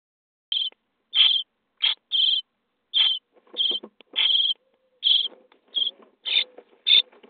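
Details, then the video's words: Begging of starling nestlings in a nest box on day 23 of feeding: loud grating bursts come in uneven clusters, some doubled, with softer scratchy rustling and faint low tones between them. "Szpaki w budce dzień 23 - karmienie piskląt"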